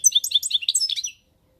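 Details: European goldfinch, recorded 1 May 2019, giving a brief rapid twitter of about a dozen high, tinkling, evenly repeated notes lasting about one second. Silence follows.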